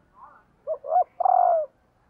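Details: Female spotted dove calling to excite males: a faint soft note, then two short coos and a long, low, slightly falling coo, all clear against silence.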